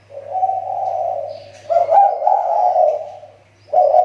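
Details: Lure-bird spotted dove from the Riau Islands, its call improving after a recent decline. Long, rolling, hoarse coos run together in two phrases, with a brief fresh start at the end.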